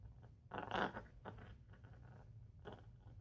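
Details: A frightened female pet parrot, eyes pinning, growls at a newly bought mini vacuum: a few harsh, raspy growling bursts, loudest near the start and a shorter one near the end, over a low indoor hum.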